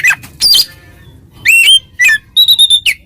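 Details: Ngeplong-style song of an oriental magpie-robin provoking a rival into agitation; separated bursts of clear whistles, with upward-sweeping notes, a downward slur and a string of repeated high flat tones near the end.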